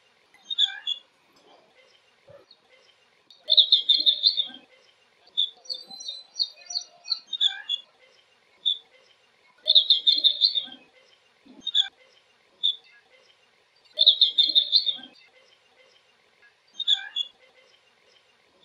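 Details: Blue-cheeked bee-eater (Merops persicus) flight calls: rolling, trilled bursts repeated about every five seconds, separated by single high chirps, with a brief thin buzzy series of notes between bursts.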